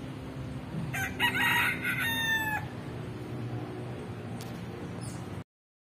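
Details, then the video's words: A single rooster crow lasting under two seconds, broken into several harmonic segments. It is heard against a noisy low rumble that continues after the crow ends, with a faint click later on. "E o galo 🐓 cantou"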